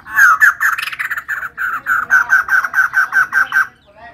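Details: Female white-crested laughingthrush singing actively: a loud run of rapid, repeated nasal notes, about five per second, slightly harsh at the start and then steady and even, ending abruptly.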